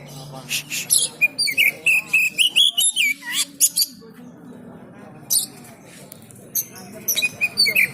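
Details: Oriental magpie-robin in training at a market, giving a dense, rapid string of varied whistles, sharp chips and rising warbled phrases, pausing briefly midway before resuming, with murmuring voices and background noise underneath.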